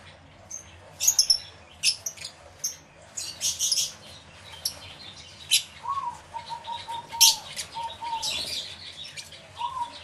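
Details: Many lovebirds calling in an aviary, recorded with two external microphones: scattered shrill chirps and squeaky bursts, with a low steady whistled tone in the background.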